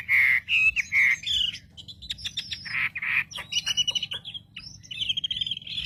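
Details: Wambi song used as a lure to provoke other wambi birds: loud, varied high chirps and short whistled phrases, with buzzy notes and rapid clicks in between, against a faint low hum.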